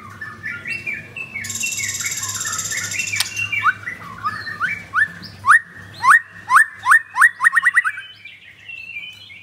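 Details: Ringed cage-bird white-rumped shama from Jakarta, Indonesia, in 'pastol blorok' style song: a rough warbled run, then loud rising whip-like sweeps that speed up into a rapid burst, with a steady low hum behind.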